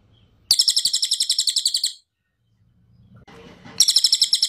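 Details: Loud cililin bird song: a rapid buzzy rattle of about thirteen sharp high notes over one and a half seconds, a quiet gap with faint low rumble, then the same loud rattle starting again.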